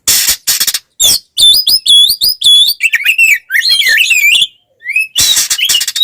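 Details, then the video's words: Oriental magpie-robin (kacer) giving its fighting song, used to provoke rival magpie-robins: loud rapid twisting whistles and trills, opened and closed by harsh rasping bursts, with a brief pause before the final scratchy phrase. "SUARA BURUNG kacer gacor TARUNG konslet ini paling AMPUH buat PANCINGAN KACER agar EMOSI"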